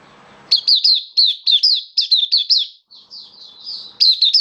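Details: Captive Oriental white-eye in full song on 27 October 2022: a fast string of high, bright, down-slurring notes, each about a quarter second, a brief pause, then a fresh burst.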